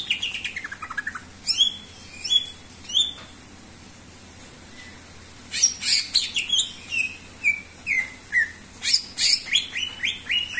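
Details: A persistently singing greater green leafbird, used as a lure/training song for other birds, gives a varied run of sharp, high whistles and chirps, some sweeping down, in quick bursts with short pauses over a faint low hum.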